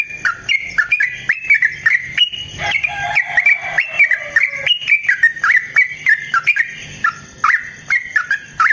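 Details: Yellow-vented bulbul in long, sustained fighting song, used as a lure to provoke other bulbuls and as a training master; rapid bubbly whistled notes, each sweeping sharply up or down, delivered in an unbroken chattering stream with one brief lower drawn-out note midway.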